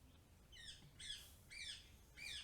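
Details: A rose-ringed parakeet heard in the background gives four harsh, high screeches with a slight downward slur, roughly every half second, over a faint low hum.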